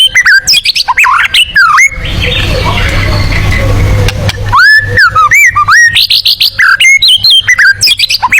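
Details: Tembakan singing from a white-rumped shama suited to competition birds: bursts of fast, varied whistled notes and chips, interrupted midway by a stretch of broad rushing noise, then the lively song resumes.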